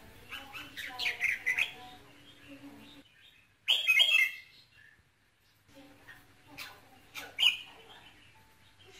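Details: Song of a red-whiskered bulbul used to rouse a male, featuring ché, kình and rít tones: varied warbled chirps, a loud ringing burst, a pause of near silence, then more scattered sharp notes.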